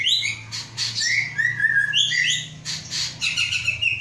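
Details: Caged white-rumped shama of Aceh stock, hatched 23 August 2012 and being readied for a breeding cage, sings varied clear whistled phrases, some sliding downward, with buzzy high notes and a steady low hum behind.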